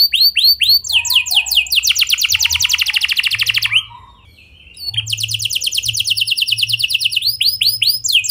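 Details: Canary singing clear, rolling phrases to coax other canaries to sing: slurred whistles leading into a dense rapid trill, a short pause, then another long trill of repeated notes.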